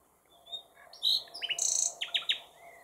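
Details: Common nightingale (Luscinia megarhynchos), partly hidden but seen, singing a rich, varied phrase: thin whistles, a loud buzzy burst, then quick repeated chirps, all high-pitched and crisp over a quiet background.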